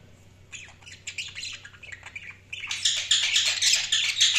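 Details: Budgies chirping: scattered short notes at first, then after a brief lull a dense, loud, high-pitched chatter of rapid squawks and chirps fills the rest.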